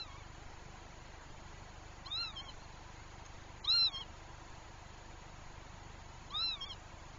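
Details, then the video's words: Northern lapwing pair anxious over their chick, driving it away from nearby herons: three clear, wheezy, arched calls, each rising then falling, spaced about two seconds apart against a quiet, faintly hissing background. "Töyhtöhyyppäpari on hädissään poikasestaan ja ajavat sen kauemmas haikaroista."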